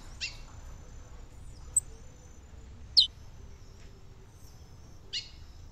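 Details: Female chestnut-bellied seed finch calling to stimulate the male, filmed by a river in the caatinga of Brazil's northeastern sertão: short, sharp high chirps spaced a few seconds apart over a steady insect hum.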